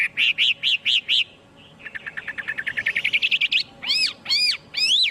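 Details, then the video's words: Chinese hwamei song: four loud, identical arched whistles, a short pause, then a speeding trill of rapid notes, closing with three strong down-slurred whistled phrases. "Tiếng chim hoạ mi hót không tạp âm"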